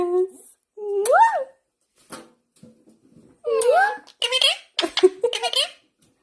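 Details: Indian ringneck parakeet indoors giving speech-like whistled and chattering syllables, rising-falling tones followed by a rapid burst of harsh notes.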